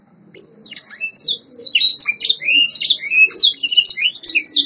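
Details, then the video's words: White Yorkshire canary, a variety developed in Bradford, England, singing on a training recording: rapid high twittering with sweeping whistled notes and quick trills, building after a quiet start into a dense continuous warble. "White Yorkshire Canary Singing TRAINING CD vol. 2"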